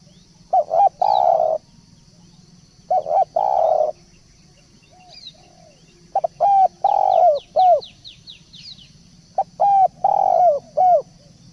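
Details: Spotted dove cooing used as a decoy. Several phrases mix short hooked notes with longer mellow coos, and brief high twitters from other small birds sound between them. A continuous high insect drone is heard throughout.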